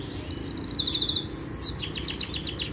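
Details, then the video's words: Yorkshire canary singing a training song: a brief steady tone, then rapid repeated trill notes, a sequence of downward sweeps, and a fast run of short chirps repeated several times a second, all high and bright over a faint low hum. "Most powerful Canary song | Rasmi Yorkshire canary song | best Canary training song"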